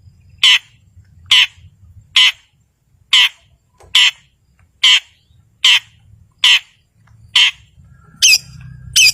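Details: Long-tailed shrike, a caged bird kept to provoke silent birds into singing, giving loud harsh broadband notes about once a second in a steady series, then quicker squeaky calls at the end.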